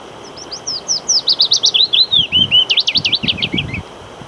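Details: Willow warbler male, on 8 May 2022, sings a quick, thin run of about twenty high slurred whistles over faint rustling and hiss; it shifts to an ultrasonic song with wing-shaking, audible only at short range, used when a female is in sight.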